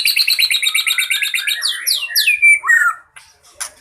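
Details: White-rumped shama in fighting mode, singing a song full of fill-in phrases used to lure birds: a run of fast repeated high chirps, then sweeping downslurred whistles and a sharp rising note before it trails off.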